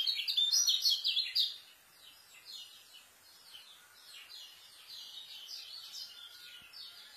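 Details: White-eye giving a fast, tightly packed song, a style used for tutoring young birds: loud bright twittering and chirps in the first second and a half, then softer, repeated high warbled phrases with a thin whistle in the background.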